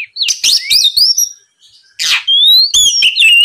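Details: Oriental magpie-robin lure song meant to get rivals answering: sweeping whistles and chatter, a short gap, a loud hoarse rasp, then a long thin rising whistle with sharp chips.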